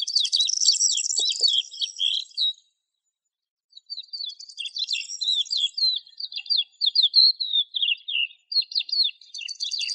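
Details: Resident desert lark delivering long phrases of high, jumbled twittering and whistled slurs, with a gap of about a second and a couple of faint clicks.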